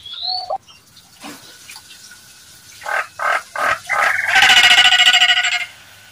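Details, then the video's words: Nias hill myna giving a call meant to provoke other mynas into answering: an opening high whistle, then loud harsh bursts that build into a fast, rhythmic, rasping series pulsed several times a second. "seketika nyaut dan emosi jalak nias manapun dengar suara pancingan jalak nias ini"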